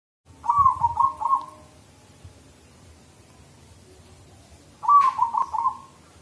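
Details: Zebra dove, a kept bird, gives two bursts of soft, rapid, trilling coos around one pitch, each about a second long, separated by a pause, with faint background hum.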